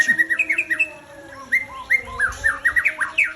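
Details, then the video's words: Aceh white-rumped shama kept as breeding stock gives rapid clear whistles, short upslurred and downslurred notes repeated several times a second in two bursts separated by a brief pause. "Murai Aceh"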